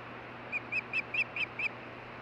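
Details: Ospreys conversing at the nest in Hellgate Canyon, Missoula, Montana, June 14, 2015, nest camera audio. Six rapid, evenly spaced whistled chirps, slightly rising and falling, sound over a steady low hiss.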